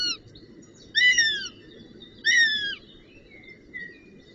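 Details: Northern goshawk chick at the nest around brunchtime on 25 June 2018 gives two loud, drawn-out descending whining calls about a second apart, with fainter thin notes between, over a low steady rumble.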